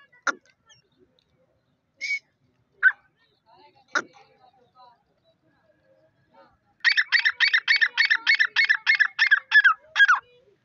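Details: Dakni Irani grey francolin (teetar) from a newly acquired pair, female call, breeding season: after a few scattered single notes, a fast run of about a dozen harsh, evenly repeated notes closes the recording.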